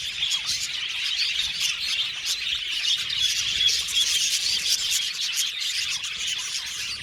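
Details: Budgerigar colony in an aviary: rapid high chirps repeated in loose bursts, about three per second, with short whistled notes over continuous background chatter.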